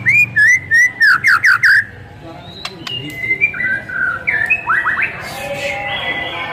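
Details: White-rumped shama singing, used as a lure to provoke other shamas: bursts of fast chirped notes, then a quieter varied passage of slurred whistles, rising sweeps and a rough buzzy ending.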